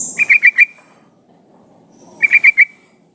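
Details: Female sooty-headed bulbul calling to a male: two quick bursts of four bright, ringing notes, separated by about one and a half seconds of quiet.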